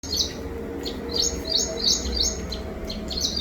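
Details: Birds chirping: quick, high, thin chirps in short bursts, repeated several times a second, over a steady low background hum.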